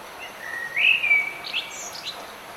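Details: Bird singing in rainy weather: a short rising whistle swelling into a bright warble, followed by scattered high chirps, with continuous rain noise underneath.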